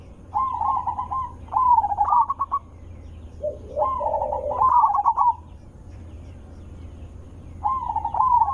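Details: Zebra dove call used to lure other zebra doves into answering: soft trilled cooing phrases ending in a rising flourish, repeated every few seconds over a low background hum.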